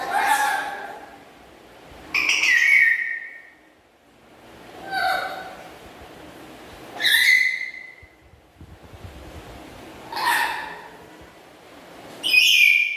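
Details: Pet black-capped lory chattering loudly: harsh, grating screeches repeated roughly every two to three seconds, some lower and rasping, others shrill and upslurred, with quiet gaps between.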